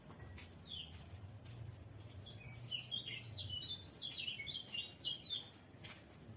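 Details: White-eye (pleci) song: after a lone chirp, a lively, tumbling stream of high warbled and twittered notes builds in the middle, with a low engine-like hum early on and soft clicks around.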